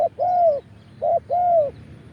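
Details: Spotted dove crowing in the 'khan yon' style as a decoy for wild birds, recorded live: paired coos repeated twice, each a short soft note followed by a longer rounded, slightly arched coo, over a low background hum.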